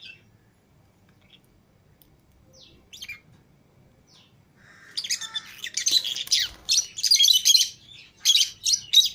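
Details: Pet lovebirds, green Fischer's and lutino pairs, mingling outside the cage. Faint scattered chips at first, then a dense, noisy outburst of shrill overlapping chirps and chatter from several birds.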